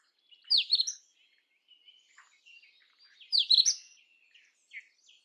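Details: Indian robin singing two matching phrases about three seconds apart, each a bright burst of tumbling high notes, with soft scattered chirps in between.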